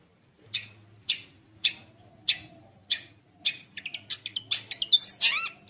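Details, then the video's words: Long-tailed shrike in energetic 'gacor konslet' song full of mimicked phrases, used to tutor young shrikes: harsh scratchy notes repeated about every half second, then quickening into a rapid run of varied chirps and squeaky whistles. "CENDET GACOR KONSLET | cocok untuk masteran trotol cendet | shrike bird"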